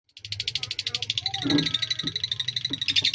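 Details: Lovebird from Indonesia in a long-duration sakera song: a fast, even rattle of sharp chattering notes, about three a second, with a low hum beneath and a soft thump midway.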